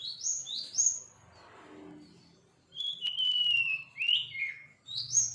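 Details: Sirpu bird, a young one still learning to sing, gives high rising chirps, a quiet gap with soft low murmuring, then a long level whistle followed by downward-slurred and upswept notes.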